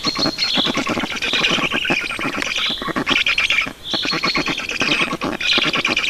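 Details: Begging Black stork nestlings at a feeding in Estonia, 5 June 2019. Loud, wheezy, rasping squawks come in overlapping bursts, with a brief dip in the middle and fast crackling pulses underneath.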